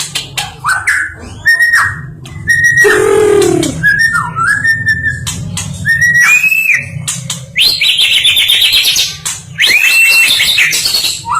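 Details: A national-champion white-rumped shama (stone magpie) sings loud, rich phrases of clear whistles, swoops and harsh chattering notes in quick succession, with a steady low hum beneath.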